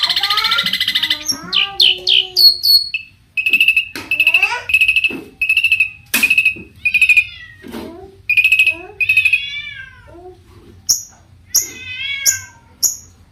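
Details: Long-tailed shrike in richly varied song aimed at drawing other shrikes into singing: a mix of whistled slurs, mewing notes, steady repeated high tones and descending whistles, with sharp clicks between phrases.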